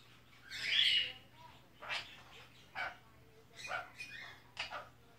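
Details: A six-month-old female pet sun conure, indoors at Christmas while watching a film, gives a long, harsh screech followed by shorter raspy squawks at roughly one-second intervals.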